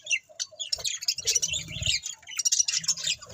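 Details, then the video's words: Budgies chatter busily, their high twittering and warbling notes tumbling over one another almost without pause, while faint low rumbling knocks sit underneath. "Cute Budgies Chirping Sounds"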